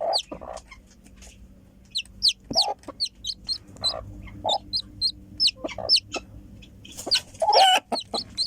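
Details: Chicken chick just emerging from its egg, giving rapid, high, thin peeps that slide downward, in irregular bursts. Several lower, softer clucking notes come in between the peeps, and a brief rustle occurs near the end.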